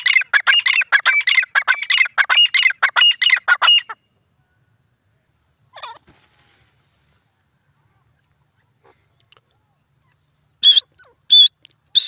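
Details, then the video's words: Grey francolin in a jungle giving a rapid run of harsh, rasping notes for about four seconds, then a long silence, faint sounds and a few short whistled notes near the end. "jungli teetar ki awaz,grey francolin in ajungle"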